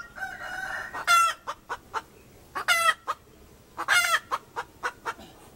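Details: Hen giving loud, harsh squawking clucks in three bursts about 1.5 seconds apart, each followed by shorter, softer clucks, over a faint steady background hum.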